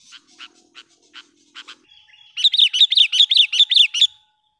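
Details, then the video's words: Lure sooty-headed bulbul calling to draw in wild birds: scattered dry clicks, then a loud, sharp, rhythmic run of about nine bubbly notes, roughly three per second, ending abruptly. "suara BURUNG KUTILANG pikat gacor memanggil kutilang liar dengan suara panggilan pikat kutilang"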